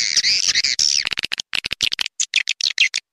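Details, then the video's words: Swiftlet calling sound used to attract swiftlets; harsh buzzy chattering squawks, first a continuous rasping burst, then rapid clipped chirps in quick irregular succession. "Suara panggil burung walet gratis"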